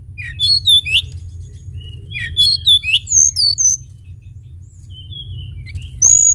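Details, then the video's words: Lively Sunda bush warbler song recorded as a lure: clusters of quick, high slurred whistles in two bursts, a quieter stretch with thin level whistles, then a final bright, piercing whistle, over low hum. "pancingan tledekan gunung gacor"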